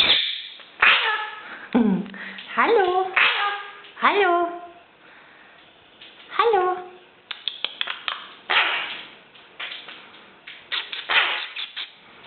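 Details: A tame Eurasian magpie, hand-reared after being found as a featherless nestling on the ground, mimics human speech with short, voice-like phrases of rising and falling pitch, like a repeated "hallo", mixed with harsh chattering bursts.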